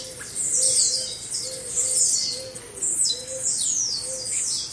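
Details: Chorus of captive blue-black grassquits, recorded as training material for cage birds. Dense, high, buzzy downward slurs overlap, with a soft low coo repeating roughly twice a second.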